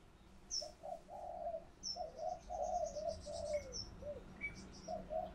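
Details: Decoy spotted dove calling to lure other doves: a phrase of low, mellow coos, some paired and some drawn out, with thin high chirps from other birds over a steady background hum.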